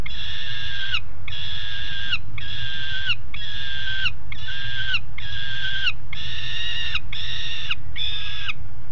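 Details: Two juvenile peregrine falcons on the nest ledge at Alphen aan de Rijn, 17 June 2016, 13:30: loud, harsh, nasal drawn-out calls repeated roughly once a second, nine in a row, over a steady low rumble.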